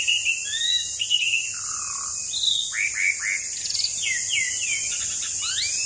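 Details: Asian pied starling song played to prompt birds to sing: a string of varied whistled slurs, some falling and some rising, with short rattling notes, over a constant high background hiss.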